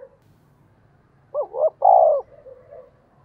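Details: Decoy spotted dove calling to draw in wild birds: one coo phrase of two quick rising hoots and a long, buzzy, sustained note that fades into soft murmuring, over a faint low rumble.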